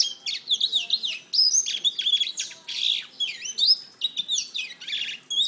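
A black-throated canary sings a fast, continuous medley of high twittering trills, slurred whistles and buzzy notes with hardly a pause.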